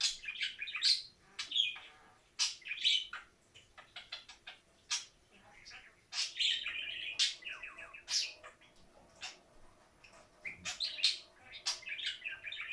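A budgerigar chirps and warbles in quick, high, scratchy bursts with short pauses between phrases.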